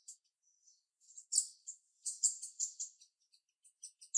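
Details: Female jalak rio-rio starling with a sharp voice, heard softly: scattered high chirps, then a cluster of loud, harsh, scratchy notes in quick succession, followed by a few thin chips.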